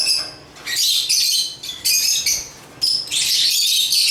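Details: African lovebirds (Agapornis) give rapid, squeaky, high chirps in several short clustered bursts with brief lulls between, ending in a sustained shrill chatter.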